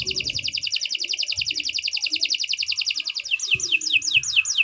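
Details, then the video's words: Canary in full, long song for training songbirds: a rapid rhythmic buzzy trill that shifts into repeated sharp descending whistled sweeps, with a few soft low thumps. "Kicau Burung Kenari 164 II LUAR BIASA GACOR PANJANG Cocok untuk Masteran"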